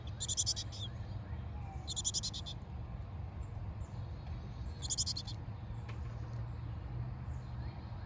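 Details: Nestling chickadees in a backyard birdhouse, Hardiness Zone 6a, parent landing at a nearby feeder: three separate bursts of high, pulsed, buzzy chirping roughly every one and a half to three seconds, quiet gaps between, steady low rumble.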